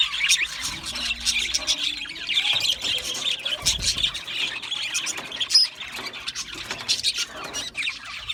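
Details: Chattering budgies, Australian parakeets, sing a long stream of quick high chirps, clicks and squawky notes, many birds at once, with a few soft low thumps underneath.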